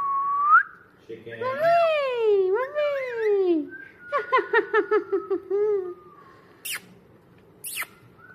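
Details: Pet talking parrot imitating speech. Opens with a long, gliding, voice-like phrase, then gives a quick series of about six short, evenly spaced syllables, and ends with a few sharp high squeaks.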